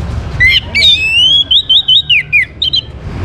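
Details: Orange-headed thrush song used to prompt other birds to sing. A quick, loud phrase of upslurred whistles, then a string of short looping notes and a few sharp chips, all packed into about three seconds.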